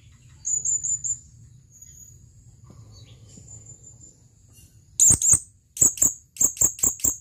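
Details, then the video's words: Male blue-crowned hanging parrot calling a female: a short high twittering trill, a quiet pause, then a burst of about seven sharp, piercing high notes repeated rapidly and unevenly. "suara burung serindit memanggil panggilan"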